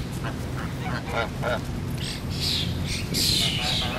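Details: Geese at a resort: a string of short nasal honks early on, followed by louder, higher, harsh squawks crowding together toward the end over low rumbling background.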